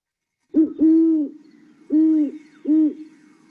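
Great Horned Owl giving deep, soft hoots: a quick stuttered note into a long hoo, a pause, then two more hoots.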